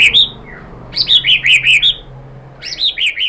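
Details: White-rumped shama song meant to trigger another bird's singing: high chattering phrases of repeated bright notes, several per second, in two bursts separated by a short quiet gap.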